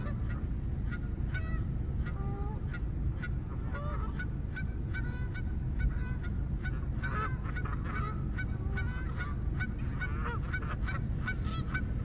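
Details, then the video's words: Several geese honking in a loose chorus, nasal harmonic honks repeated irregularly every half second or so, sometimes overlapping, over a steady low rumble of background noise. "Geese Making Noise"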